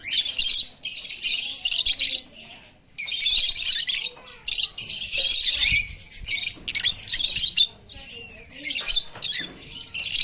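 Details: Pair of lovebirds calling in loud, harsh, high-pitched chattering bursts, some squawky, coming in uneven runs of one to two seconds with brief gaps.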